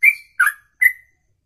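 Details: Songbird performing a lengthy 'ropelan' song sung in a single breath lasting more than two minutes; three brief whistled notes, the first sliding steadily, the second a rough burry note, the third clear and falling, otherwise quiet.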